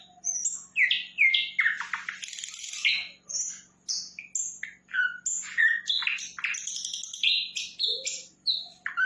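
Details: Energetic flycatcher song, sikatan londo, in a long varied stream of quick whistles, chips, downslurs and buzzy phrases jumping between high and middle pitches, barely pausing, over a soft steady hum.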